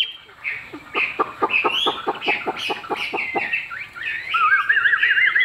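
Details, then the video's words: A caged Chinese hwamei with a fig-leaf tail opens with a rapid run of about a dozen short, clipped clucking notes. It then shifts into smooth, wavering whistles that rise and fall in a trill-like pattern. "Họa mi đuôi lá vả bóng bộ đẹp hót hay"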